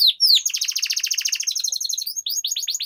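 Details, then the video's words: Canary long-roll song meant to coax other birds to sing: two rising notes, then a dense, buzzy roll of very fast repeated notes lasting about two seconds, ending with quicker falling sweeps. "Suara Pancingan Burung Kenari Agar Cepat Gacor dan Ngerol, Masteran Suara Kenari Ngeroll Panjang"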